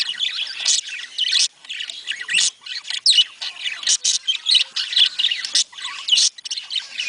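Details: Budgerigars, their sound presented as one that encourages budgies to mate: dense, fast chattering warble of high squawks and chirps in short bursts broken by brief pauses, with several birds calling at once.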